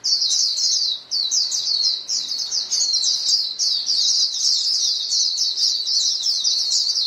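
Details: White-eye flock exchanging contact calls, a steady stream of high, quick, thin chirps from several birds, briefly dipping near one second and then running on unbroken.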